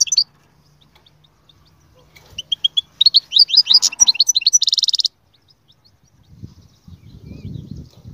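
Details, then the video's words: Goldfinch singing a lively twittering run of rising slurred notes that ends in a harsh buzzy trill, followed by silence and then low rumbling noise. "أقوى تغريد مقنين يجعل المقنين الساكت يسير"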